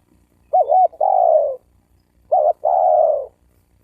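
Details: Spotted dove coo intended to provoke males and females to fight. Two strong phrases about two seconds apart, each a quick wavering double note followed by a long, smooth, gently falling coo.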